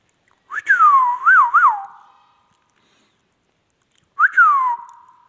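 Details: Indian ringneck parakeet vocalizing with clear whistled notes: a bright upward flick falling into a long glide, then two quick wavering rises, a pause, and the same rising-then-falling whistle repeated once. No other sounds.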